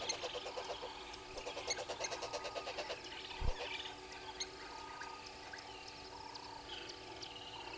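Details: Red-billed hornbills at the Gowrie dam waterhole, Djuma Game Reserve, Sabi Sand Wildtuin, South Africa, at 06:32 on 03/07/2022: a rapid, steady series of clucking notes for about three seconds, then quieter chatter from other birds over a constant hum.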